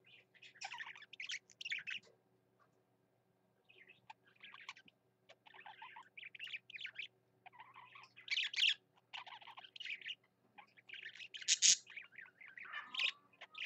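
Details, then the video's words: Budgerigar, a pet, sings in irregular bursts of scratchy chirps, squeaks and gurgling warble, pausing for a couple of seconds near the start, with a sharp click late and a steady low hum. "Parakeet BB singing his heart out"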